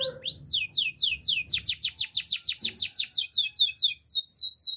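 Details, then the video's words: Training song from a canary: a long, even series of bright descending whistled slurs repeated rapidly, building and then easing off in a clean, quiet setting. "Impossible If Your Canary Does Not Immediately Sing! Canary's Song"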